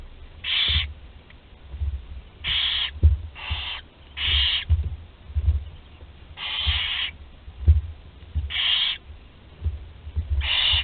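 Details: Young barn owls at a nest in Théding, France, on 20 July 2020, a 13-day-old chick swallowing prey whole; short snoring hisses repeat roughly every one to two seconds, over steady low thumping and shuffling sounds.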